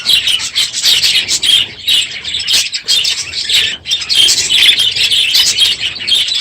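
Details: Crowded aviary of budgerigars on a loud morning near the end of the breeding season, chattering nonstop in bright overlapping warbles and squeaks, with one brief lull near the middle.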